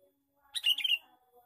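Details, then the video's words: Lure call of a male sooty-headed bulbul, loud and energetic: a short, rich, warbling burst of a few quick notes, with soft faint tones before and after. "suara pikat burung kutilang jantan gecor cor cor"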